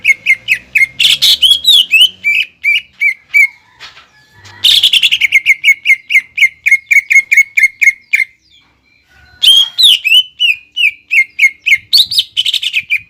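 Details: Greater green leafbird in full song, used as a lure to provoke and draw in young birds to copy it; loud bursts of rapid, repeated chattering notes around three per second, broken by short pauses, with sharp whistled trills.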